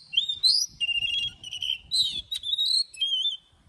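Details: Morning song of an Oriental magpie-robin in forest-style voice with long drawn notes, used for training; rapid whistled phrases, buzzy trills and high sliding notes, faint low background noise.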